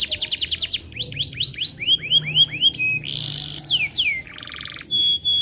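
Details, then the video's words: Lure song of a constant-singing canary used for tutoring young birds: quick descending notes, a series of rising whistled slurs, then a harsh buzzy burst, a downslur and a dense rattling trill. "Suara Pancingan Kenari Gacor, Cocok Untuk Materan Paud Kenari"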